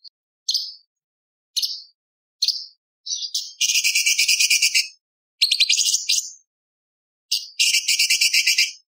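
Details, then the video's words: Light-vented bulbul song in the tembakan style, filled with imitations of lovebird, parakeet, ciblek and pancawarna: short high downslurred chirps, then long buzzy rattling trills that repeat in bursts, with no other sounds. "CUCAK CUNGKOK ISTIMEWA - TEMBAKAN ISTIMEWA ISIAN LOVBIRD PARKIT CIBLEK PANCAWARNA"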